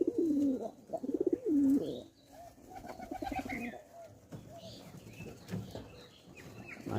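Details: A pet domestic pigeon that is sick gives low, throaty, wavering coos, followed by softer murmuring sounds.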